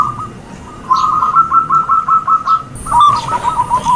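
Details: Perkutut or zebra dove lure call: after a quiet start, a rolling run of quick warbled coo notes, then a second burst with a falling ending, over faint background hiss.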